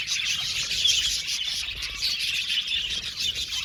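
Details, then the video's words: Budgerigars in an aviary colony: busy, overlapping high chirping and warbling, with a few brighter whistled notes standing out over the chatter. "Budgies singing and chirping sound"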